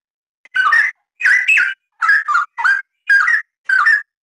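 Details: Straw-headed bulbul singing densely ('gacor rapat') as a tutor track: six loud mellow phrases of bubbling, sliding whistles, some doubled, spaced by short silences over about four seconds.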